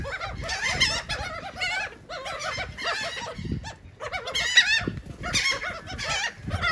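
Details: Gulls crowding around cake in Atlantic City, New Jersey, uttering bouts of shrill, yelping squeals separated by brief lulls, with some low rumbling noise.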